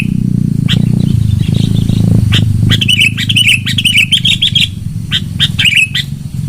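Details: Lure recording of loud sooty-headed bulbul song: after a hum-filled opening, lively chattering whistles run in quick, rising and falling strings, then come in sparser bursts.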